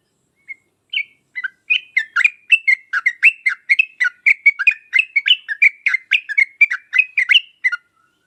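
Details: Lure song of a sooty-headed bulbul, 'uplik uplik tarong ropel' style, meant to draw answers from other birds: a long, steady series of some twenty sharp, chirping notes in quick succession over about seven seconds.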